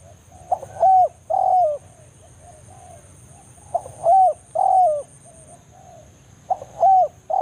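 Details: 'Banggo' lure calling by a wild spotted dove in forest, summoning a rival toward a trapping area: mellow phrases of one short note and two sustained falling coos, repeated roughly every three seconds, with a faint electronic whine.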